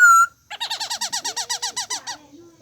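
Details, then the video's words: Calling bird: one bright high whistle, then a quick run of about thirteen short, harmonically rich notes, each sliding downward, delivered at a steady fast pace. "Suab noog lom sab/sound of bird"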